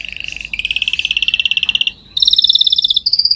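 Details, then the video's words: Training song of a canary: rapid rolled trills stepping upward in pitch, each phrase a string of quick pulses, ending in a high pulsed roll after a brief pause. "Canary singing"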